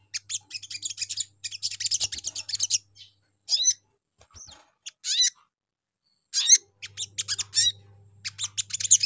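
Little Spiderhunter giving bursts of sharp, high chattering notes, fast runs broken by brief pauses, over a faint low electrical hum.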